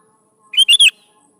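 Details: Lively sooty-headed bulbul song for coaxing young bulbuls to respond: a single phrase of three loud, rich, slurred whistled notes in quick succession over a faint low hum.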